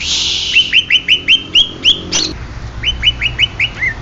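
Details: Authentic Banyuwangi greater green leafbird repeating clear upslurred whistles about three per second, broken by a sharp high squeak, then resuming the rising series.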